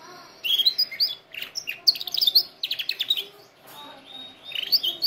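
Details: Canary singing, used to train canaries: sharp high whistled notes and quick chattering trills in irregular bursts, bright and piercing, with short pauses between phrases.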